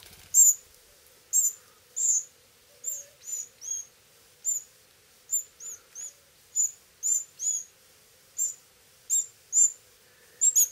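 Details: Insistent begging of Pyrrhuloxia chicks fed by their hand-fed father, Terlingua, Texas, 2013–2014; a long run of high, thin, slightly slurred calls, singly and in pairs, roughly two per second, with a faint hum beneath.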